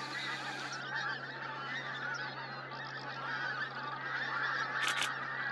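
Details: Pink-footed geese gathered in a large flock, recorded in 2023. A dense, continuous chorus of overlapping honks and yelping calls comes from many birds, with a steady low hum underneath and brief higher clicks near the end.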